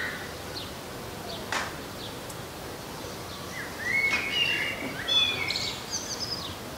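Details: Common blackbird singing in a garden. Short fluty whistled phrases around mid pitch lead into higher squeaky twittering notes. Faint chirps from other birds sound earlier, over a soft outdoor background hiss.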